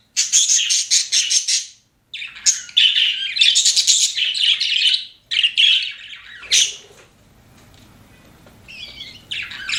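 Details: Pet budgies chirp in dense buzzy bursts, then go quieter; a sharp squawk stands out, followed by a softer pause and a few wavering whistled notes near the end.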